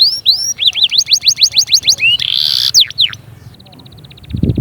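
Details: Canary song used to push chicks to sing and get females ready: looping rising whistles, a harsh noisy burst, falling notes, then a soft high thin trill and a low thump at the end.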